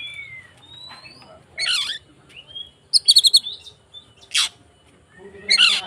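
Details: Agitated white-rumped shama singing to provoke other shamas: separated bursts of harsh buzzy notes, a fast run of about five sharp chips, and short whistles with quiet gaps between.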